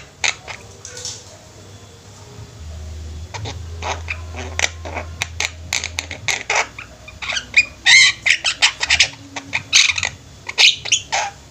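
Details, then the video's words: Javan myna flock singing: sparse scratchy notes over a low hum at first, building to a dense burst of harsh chatter and squawks in the second half. "Burung jalak kebo ombyokan juga bisa gacor"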